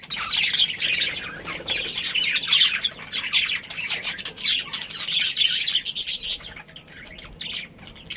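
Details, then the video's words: Budgerigar breeding pair and family giving busy, squeaky high-pitched chatter in bursts, with short squawks mixed among rapid twittering notes and small quieter gaps. "Cute Budgies Chirping Sounds"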